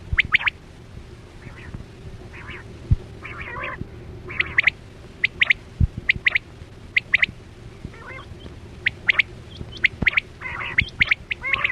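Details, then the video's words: Quail lure sound for hunting with nets: scattered sharp high chips, sometimes doubled, mixed with softer harsher calls, with clicks and a constant low background hum. "Sound Of Chora Quail Batera"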